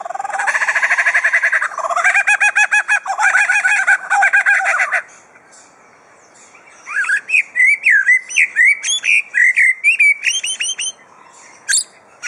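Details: Superb lyrebird held at Adelaide Zoo, Australia, mimicking drill, saw and birds: a buzzing, grinding mechanical run for about five seconds, silence, then loud looping whistled notes repeated rapidly.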